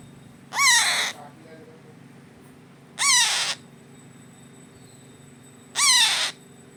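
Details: Hand-fed baby parrot, 25 days old, giving harsh, raspy begging calls with descending wavering notes, three bursts about half a second long, roughly every two and a half seconds, over a low steady hum.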